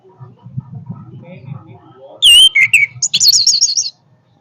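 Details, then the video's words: Orange-headed thrush giving a powerful song: after a low background rumble, a burst of sharp high whistled notes, a brief slurred phrase, then a rapid quavering trill for nearly a second. "kicauan Anis merah yang bertenaga"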